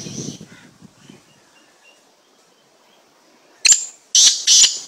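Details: Unusual slate-grey black francolin giving loud, sharp, grating notes late in the recording: one abrupt burst, a pause, then two rapid rasping bursts. Faint low rumbling and scattered soft chirps come earlier.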